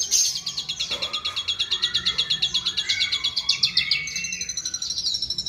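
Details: Asian pied starling (jalak suren) mimicking other birds: a rapid high pulsed trill overlaid by lower, slurred rising and falling whistles, ending in a thinner, faster chatter.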